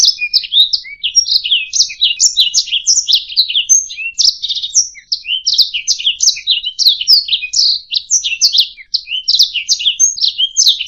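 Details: Canary song for teaching songbirds, an unbroken high warble of quick slurred chirps and trills repeated in rapid bursts, energetic and clean, with no other animals or noise.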